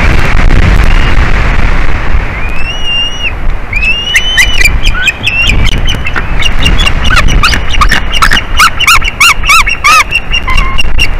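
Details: White-tailed eagles at a nest with eggs in Latvia, 12:13 pm, 9 April 2021: the female calls at an intruder and the male, known for a chirping voice, also calls; thin yelps quicken into a rapid run of high, clipped notes over low wind rumble.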